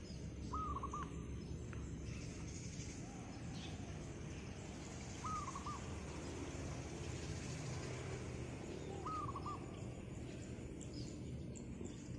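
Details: A wild zebra dove calling persistently on a roof one morning gives three short, soft, rolling coo phrases about four seconds apart, over a steady low rumble of background noise.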